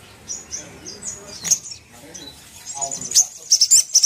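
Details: Little spiderhunter (Arachnothera longirostra) sound used to provoke another spiderhunter to anger: thin, very high, sharp chipping notes, loose at first, then quickening into a rapid burst of piercing chips.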